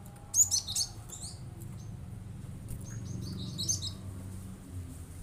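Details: Cinereous tit giving rapid 'shooting' song to rile other birds into calling; quick clusters of thin, high chirps near the start and again after three seconds, with low background rumble.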